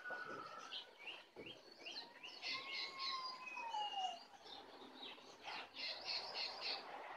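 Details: Wild jongkangan, or brown cingcoang, approaching aggressively: a long run of rapid high twittering and whistled notes, with a drawn-out descending whistle in the middle, over steady background noise.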